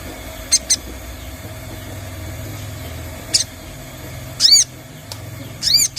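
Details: Sogon, a lure recording played to make the bird sing and become lively; sparse high, arched chirps, single and then in quick bunches near the end, with sharp clicks over a steady low hum.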